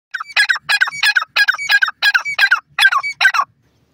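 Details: Dakhni teetar, a francolin, calling loudly and close: about nine harsh, ringing notes in quick pairs and groups, repeated roughly every half second for three seconds, then silence.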